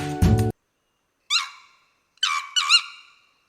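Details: A Sri Lanka junglefowl, a species endemic to Sri Lanka, gives a single harsh note, then a quick two-part, wavering crow. A brief burst of music comes first.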